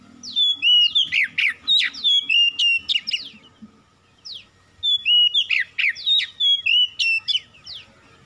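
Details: Oriental magpie-robin used as a lure song to stir lazy birds into singing: two loud bursts of rapid, ringing whistles mixed with scratchy, buzzy notes, separated by a short pause, with a faint steady hum underneath.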